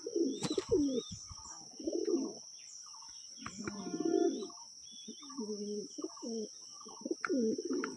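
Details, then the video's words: Domestic Lotan pigeons, a male kept inside and a female outside, coo back and forth in low, rolling bursts, calling more because they are separated. "এরপরে দেখুন কালদমটা ভিতরে আছে মেলটা, আর ফিমেলটা বাইরে, ওই জন্যই বেশি ডাকাডাকি করছে দুজনে।"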